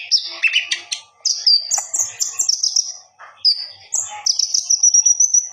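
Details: Common iora singing intensely to the point of fluffing and display, used as a master training recording: high thin whistles and slurred notes, brief chattering bursts, then long steady whistles with a fast trill at the end.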